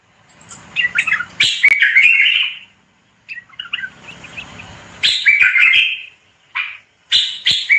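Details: A common bulbul gives repeated bursts of rapid chattering song, mixing harsh buzzy notes with warbled slurs. Bouts come at irregular intervals across several seconds, with a faint low hum underneath.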